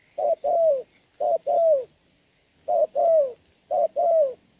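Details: Decoy spotted dove with a wild dove at a trap, cooing in the rain on 26 November 2022. Mellow two-note coos, a quick short note then a longer downward-sliding one, four pairs with a brief gap midway.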